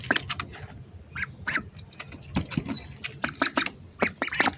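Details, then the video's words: Several hungry ducks give rapid, overlapping raspy quacks and chattering notes in quick bursts, calling at once over soft background noise. "hungry ducks making sounds"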